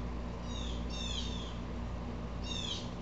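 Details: Upset Blue Jay: two quick harsh falling calls close together, then a pause and one louder rasping call, against steady low hum.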